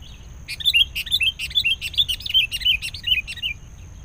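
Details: Sooty-headed bulbul chattering while a wild, aggressive bird is lured using a caged decoy: a lively run of about a dozen sharp, high chirps in quick succession, each note slurring downward, lasting three seconds against a faint low hum.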